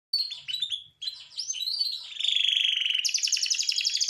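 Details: Large-sized male canary, kept as a cage bird, singing energetically: high varied chirps and swoops, then a rapid rolling trill and fast high repeated notes.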